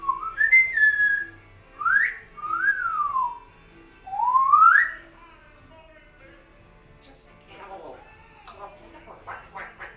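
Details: Pet African grey parrot, 6 years old, indoors with a second parrot in the background, giving loud clear whistles that swoop up and down in four phrases, followed by softer chatter.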